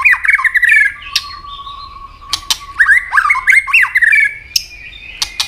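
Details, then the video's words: Captive White-rumped shama singing its fighting song: rapid descending whistled slurs and harsh notes, a long steady low whistle, sharp clicks, then another rapid tumbling phrase and a thin high whistle at the end. "chòe lửa chuyền hót đấu nết đập tạch đuôi chắc,kích chòe lửa hót đấu chớm lửa"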